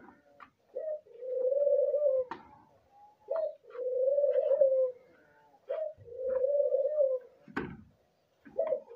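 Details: An albino dove gives low, drawn-out breeding moaning coos, each about a second long, repeated roughly every two to three seconds, with soft clicks and room noise between.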